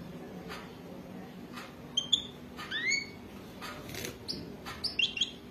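A European goldfinch gives short bursts of bright, liquid, twittering notes, some rising or slurred, with pauses between phrases and scattered clicks and knocks.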